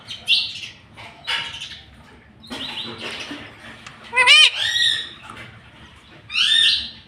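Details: Green ring-necked pet parrot mixing faint raspy mutters with one loud, rising then falling nasal syllable and a later short squawky phrase, in a quiet indoor setting.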